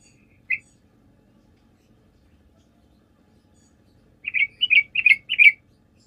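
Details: Sooty-headed bulbul in full song, used as a lure to draw replies from other bulbuls; one lone chirp, a long pause, then a quick run of five or six rich, bubbling notes.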